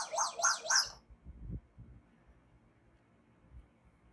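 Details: Pet common hill myna, about seven months after being brought home, at its usual spot while playing, gives three quick, loud, harsh-edged call notes, then falls silent.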